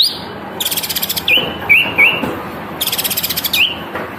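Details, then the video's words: Caged kapas tembak, or cream-vented bulbul, singing energetically with tail spread, a training recording: a few brief slurred whistled notes between two long harsh rattling bursts. "Masteran Burung Kapas Tembak Gacor Buka ekor"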